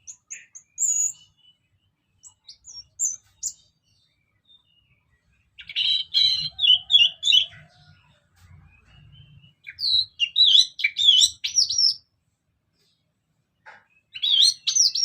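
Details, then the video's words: Orange-headed thrush in continuous ngeplong song used as a lure: scattered high whistles, then dense bursts of fast varied warbling phrases separated by short pauses, over a faint low background rumble. "Kicauan Anis Merah Bikin Emosi Dan Gacor"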